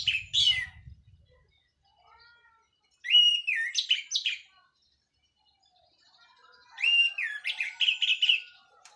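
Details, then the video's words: Local Cililin orange-headed thrush, freshly through its moult, gives two rich phrases of clear whistles and slurred notes, each a few seconds long, separated by quiet gaps; a brief low rumble opens, sung in 'plong' and 'teler' style. "KICAU ANIS MERAH PLONG + TELER LOKAL CILILIN BERES MABUNG"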